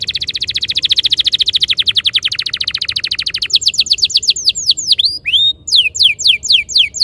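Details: Canary master song for prompting caged canaries to roll; a rapid even trill of short notes for over three seconds, then slower, louder, sharply sweeping whistled notes in quick series.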